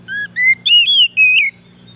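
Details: White-rumped shama song meant to draw in wild shamas: a short phrase of four clear, pure whistles, the first low, then higher sustained notes with slight warbles, over a steady faint hum.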